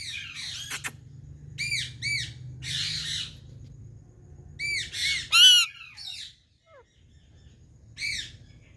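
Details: Parrot in India calling to another parrot: harsh squawks, some repeated in quick bursts, others drawn out and raspy, with steady low humming noise in the background.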